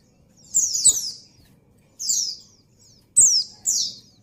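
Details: White-eye hen in breeding condition calling for a male: four high, sweeping downward chirps, roughly in two pairs, each pair closing with a crisp click.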